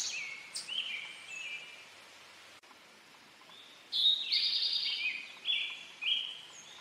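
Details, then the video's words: Male Eastern towhee giving its "drink your tea" song twice: a clear high whistled note, a lower note, then a rapid ringing trill, with a pause of about three seconds between the two phrases and faint background hiss. "Eastern towhee song | Drink your tea"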